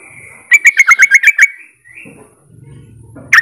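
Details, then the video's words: Sooty-headed bulbul calling to provoke other bulbuls into answering: a rapid run of about eight bright, slightly descending bubbly notes, a short rising whistle, then quiet low rumble and a final sharp chirp. "suara trucukan memancing trucuk lain biar ikut bunyi"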